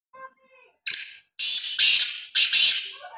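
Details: Grey partridge (Perdix perdix), call.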